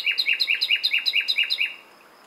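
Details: Common nightingale song phrase of about a dozen identical sharp notes, delivered rapidly at an even rate for under two seconds, then silence.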